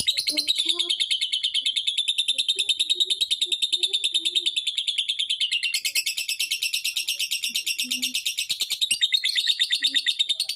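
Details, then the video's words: Lovebird calling to stir other lovebirds into calling, delivering a continuous piercing chatter of rapid pulses, about three per second, which shifts to a harsher, broader texture midway, with faint low chirps scattered beneath. "Suaranya Memancing Labet lain Ikut Bunyi"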